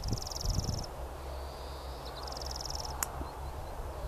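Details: European greenfinch in full song on the Eden Course in April: rapid high trills in two bursts around a long, drawn-out wheezy note, over a steady low rumble of wind or distant traffic.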